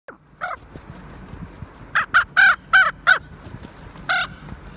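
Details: Common raven asserting dominance over other ravens, showing them who is in charge; one harsh call, then a quick run of five rough, throaty caws, each briefly held, and a final caw, with a quiet background.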